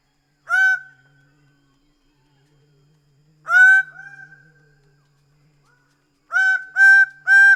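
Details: Greater bird-of-paradise calling: single loud honking notes spaced about three seconds apart, then a quick run of three similar notes at the end.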